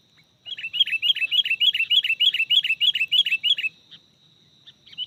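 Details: Sooty-headed bulbul for luring wild birds: a fast, even series of about fourteen bright chirped notes at roughly three per second, then a pause and one more note, over a thin constant high tone.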